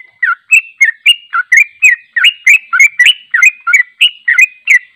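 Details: Unedited long 'ropel panjang' song of a sooty-headed bulbul (trucuk), used as training for other bulbuls: a fast, unbroken chain of sharp, slurred chirps, about three to four each second, bouncing up and down in pitch.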